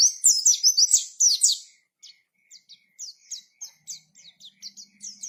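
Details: Ngalas-type pleci song: an opening burst of loud, rapid high twittering, then spaced, softer single chirps repeated several times per second.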